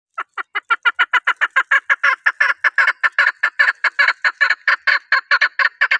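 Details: Chukar partridge, Pakistan's national bird, giving a rapid run of about 28 harsh clucking chuk notes in six seconds. The notes are mid-pitched, grow louder after the first second, then hold steady.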